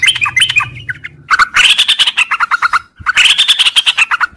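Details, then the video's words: Sooty-headed bulbul singing in the morning in the long, continuous 'ngropel' style: fast chattering runs of harsh chirps and bubbly notes in two busy bursts separated by a brief gap. "suara trucuk ngropel panjang di pagi hari"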